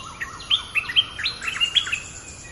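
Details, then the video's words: Streak-eared bulbul, fierce local champion in a contest, sings a quick series of sharp, slurred chirps rising and dropping in pitch, steady and chattering. "เสียงนกดอกแตงEp.227/2 ปิดเกมส์จ้าวถิ่นโคตรดุ!! ลุ้นกันเหนื่อย Suara pikat merbah lekir gacor"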